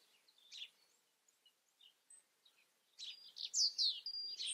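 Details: Soft scattered high chips from a European robin lead into a louder closing phrase of bright sliding whistles and a sustained thin tone.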